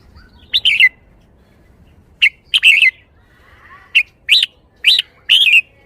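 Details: Red-whiskered bulbul kept in a cage, singing in the 'shaking bottle' style: a series of short clear chirpy phrases, some single notes and some rolling warbles, given in quick succession against a quiet background.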